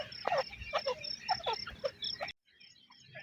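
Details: Grey francolin calling in the jungle: a fast run of loud, harsh, strongly harmonic notes, several rising and falling, packed closely over two seconds before cutting off abruptly, followed by faint background sound.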